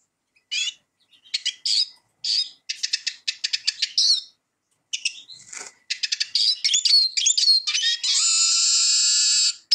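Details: Song of a Eurasian siskin, scattered twittering phrases building into a fast, rolling chatter with sliding whistles, ending in a sustained nasal wheezing buzz.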